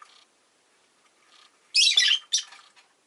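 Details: Pet rosy-faced lovebird recorded amid city street noise, giving two loud, harsh, buzzy chirps in quick succession after a few faint, thin calls.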